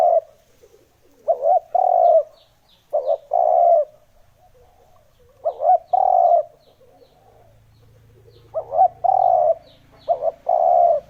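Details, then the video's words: Lure recording of spotted dove calls: six paired cooing phrases, a stuttering lead-in then a longer mellow coo, with thin high chirps of other birds and a faint low hum late on. "Âm thanh kích chim cu gáy"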